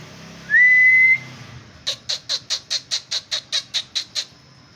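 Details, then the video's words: Male white-rumped shama singing: one clear, steady high whistle, then after a pause a fast, even series of about a dozen sharp, identical clicking notes in roughly two seconds, in a quiet setting. "Murai Batu MH"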